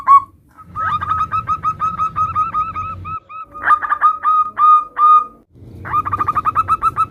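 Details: Local zebra dove in a compilation of varied calls meant to lure other doves into answering. Rapid strings of hooked, cooing notes in bursts, broken by short pauses near the third and fifth second, over a faint low rumble.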